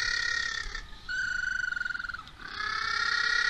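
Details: Little blue penguins at feeding time in Oamaru, New Zealand, 27 October 2023. Loud, harmonic, whining calls sit near the middle-high range. A rapid pulsed, stuttering passage falls in the middle, followed by another long sustained wail.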